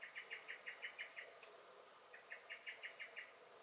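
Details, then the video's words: Garden common blackbird, May 2021, alarm calling in two brisk rattles of sharp, evenly spaced chink notes, roughly eight in each burst. "Song and Alarm Calls of the Blackbird"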